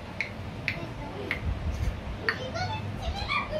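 An African grey parrot gives a few sharp, high clicks and chirps, then a quick run of speech-like, tonal syllables over a low indoor hum.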